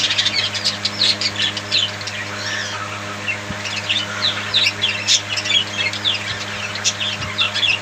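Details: Budgerigar chatter, a nonstop stream of high chirps and scratchy warbled notes from a group of budgies, backed by a faint mains-like hum.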